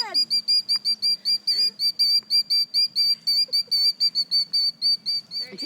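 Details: Female bird screaming loudly near her nest with eggs, upset at people approaching: piercing, evenly pitched whistled notes repeated about four times a second, each with a slight flick, steady throughout; faint low background hum.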